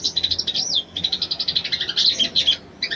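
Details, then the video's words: Brown-throated sunbird female calling for a male to arouse him, a fast run of high, sharp chips with one swooping whistle, ending in a brief pause and two more notes. "SOGON BETINA MEMANGGIL JANTAN"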